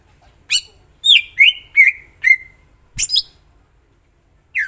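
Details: Greater green leafbird giving a run of clear downslurred whistles that drop and trail off, about four in quick succession, followed by a sharp click and a lone rising note.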